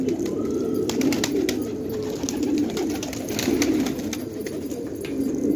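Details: Afghan fighting tumbler pigeons at a house, several low murmuring coos overlapping in continuous rolling phrases, with sharp clicks and knocks and a constant background hum.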